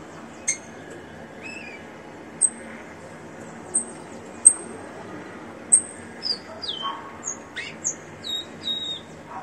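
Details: Ringed captive rufous-collared sparrow giving a short song: isolated high sharp ticks early on, then a cluster of pure whistled notes stepping downward, followed by quick chips toward the end.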